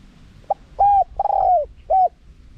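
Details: Spotted dove, small-voiced 'karom pa' wild style, used to draw wild doves quickly. A clean phrase of a short pip, a flat coo, a long slightly falling coo and a crisp final coo, with little background.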